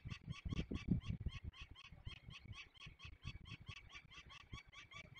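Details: Young peregrine falcons being released, Barycz Valley, Poland, 27 May 2020, calling nonstop with a fast chatter of harsh kek notes, roughly three per second, over steady low rumbling and thumping background noise.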